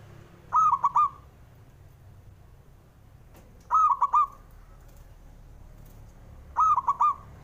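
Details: Calling male zebra dove, used to prompt lazy doves to sing: three clear warbling coo bursts, each a quick stuttered triplet, spaced roughly three seconds apart over faint low hum.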